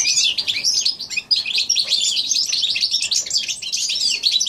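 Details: Goldfinch x canary hybrid, January 2016, in full song: dense, high, tinkling twitters and fast trills running almost without pause, a short dip near the middle.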